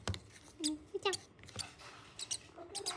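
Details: A hungry violet rosy-faced lovebird chick being hand-fed and eating well gives a few short, squeaky chirps, some rising, scattered over three seconds, with soft clicks and handling noises in a quiet room.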